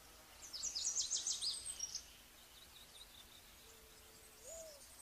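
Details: Olive-backed pipit (Anthus hodgsoni) giving a rapid run of thin, very high, buzzy notes for about a second and a half; a low, steady hoot that lifts at the end follows.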